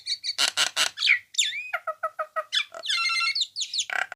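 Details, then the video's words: Nias hill myna vocalising as a master recording for songbirds: clipped whistles, loud harsh bursts, a swooping whistle, evenly repeated short notes, then a long warbling buzzy phrase and a final squawk. "masteran burung jalak nias"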